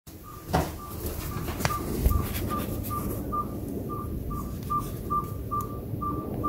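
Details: Presumed owl making a strange noise outside a house over about a week, identity unknown: short, even, whistled toots on one steady pitch, repeated roughly twice per second, with faint clicks and a low background rumble.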